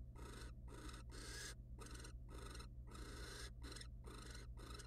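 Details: Wild barn owls in a monitored nest box while the male mates with the female and then preens her feathers: a series of harsh, breathy hissing bursts, about two per second and unevenly spaced, over a steady low electrical hum.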